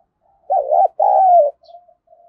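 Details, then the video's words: Decoy spotted dove cooing to attract wild doves. One two-part phrase: a bent, wavering first syllable and a sustained falling second, followed by soft faint coos trailing off. "Tiếng chim cu gáy thúc dấu bổi rừng nghe nhanh về cội, bổi nhà xiêng gáy"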